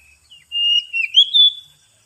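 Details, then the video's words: Lure song of an Oriental magpie-robin: a short soft note, then a sustained bright whistle that wavers and climbs into a few loud sliding notes before stopping, with no background noise. "suara pikat burung kacer"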